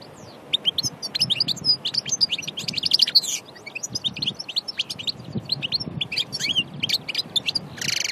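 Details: European goldfinch in the wild at Aïn Barbar, Annaba, delivering a bright, rapid twittering song of clipped high notes and short buzzy rattles, with a soft low hum behind.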